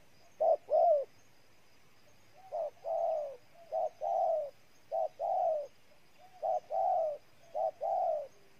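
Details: Repeated cooing of a spotted dove in Ninh Thuận, Vietnam: about six two-part phrases, each a brief soft note then a drawn-out, gently descending coo, coming roughly every second with steady spacing.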